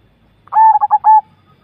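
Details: A Javan zebra dove (perkutut) gives a quick, soft, mellow coo broken into four stuttering notes, steady in pitch and under a second long, against quiet surroundings.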